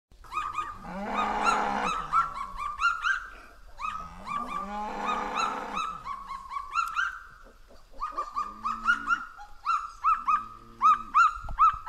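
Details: Kagus greeting each other on the forest floor of New Caledonia's dense mountain forest give loud, nasal, rasping calls in two long bursts, then a quick run of short yelping notes, about three per second.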